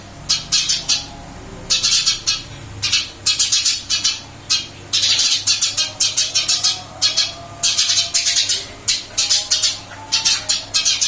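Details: Eurasian tree sparrow in a cage, singing steadily after moving to a new cage: long series of loud, harsh chirps delivered in uneven bursts with brief silences between them, and a constant low hum in the background.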